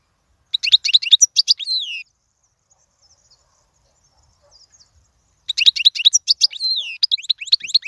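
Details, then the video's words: European goldfinch song for young birds to learn, in two short phrases of fast bright twittering, each ending in a buzzy downward slur, separated by roughly three seconds of near silence. "أفضل تغريد الحسون"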